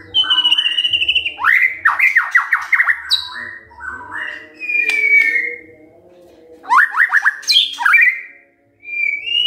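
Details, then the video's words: White-rumped shama singing in the morning, used to provoke other birds to sing: loud whistled phrases, sweeping upward slurs in rapid series and long level whistles, separated by short pauses, over a faint steady low hum. "Pancingan PAGI-PAGI AGAR MURAI GACOR❗ murai diam pasti ikut NYAUT EMOSI❗❗"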